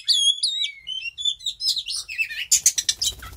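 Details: Mating oriental magpie-robin delivering clear, high whistled phrases with downslurs, followed by a denser burst of scratchy, chattering notes and a noisy patch at the end.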